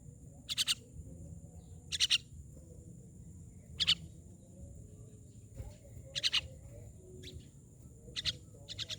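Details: Myna giving short harsh, raspy bursts of two or three rapid pulses, repeated roughly every two seconds, with a steady high-pitched hiss and low background rumble throughout.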